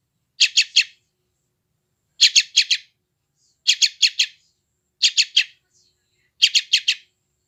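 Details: Chick of a sooty-headed bulbul, West Java, phone-recorded: short triplets of buzzy, high chirps spaced about one and a half seconds apart, quiet in between. Used as training sound to ease stress in freshly caught wild bulbuls.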